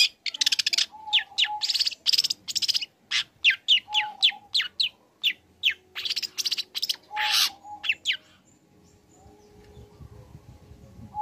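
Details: Young, lively long-tailed shrike learning song material used to provoke other shrikes: fast sequences of sharp, ringing chirps and rasps, fading into quiet background hiss near the end.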